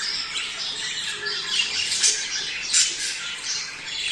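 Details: Budgies heard in a mating-stimulation recording: steady overlapping twittering and rasping squawks, with brief louder chirps standing out near two and near three seconds.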